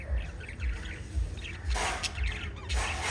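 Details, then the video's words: Five lovebirds chirping: bursts of quick high chirps and squeaks, with a noisy stretch midway, over a steady low thumping pulse about twice per second. "Five Little Lovebirds Chirping Sounds"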